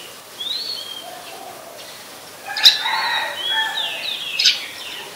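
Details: Oriental magpie-robin, a very common resident, singing in Ubon Ratchathani, Thailand, in late December 2020: short clear whistles broken by two sharp clicking notes, then a tumbling whistled phrase, against a quiet backdrop.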